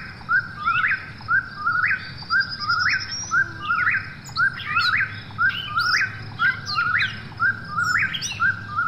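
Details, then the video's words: At night, an Eastern Whip-poor-will repeats its whistled, three-part 'whip-poor-will', rising at the end, about once a second; a second bird overlaps later, over a low rumble and insect hiss. "Eastern Whip-poor-will Call"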